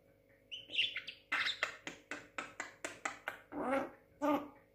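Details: Young Javan myna, six months old, imitating speech indoors: a burst of rasping, broadband notes, about a dozen harsh chattering syllables in quick uneven succession, ending in two longer, fuller grating calls.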